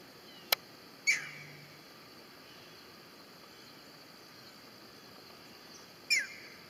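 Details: A young green heron in wetlands gives two brief, slurred calls that drop in pitch, about five seconds apart, with a sharp click before the first and a steady background hiss.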